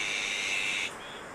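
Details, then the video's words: Nest of Azure-winged magpies raising chicks in Wonju's Maeji-ri, Korea: a sustained harsh, hissing rasp with a thin tonal line, cutting off abruptly after under a second, then only background hiss. "물까치의 육추 #1"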